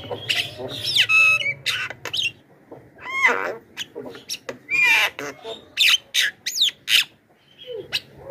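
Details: Loud Javan myna calling meant to attract wild birds, with grating screeches, raspy bursts and a few clear whistled notes, delivered in uneven clusters with brief pauses between.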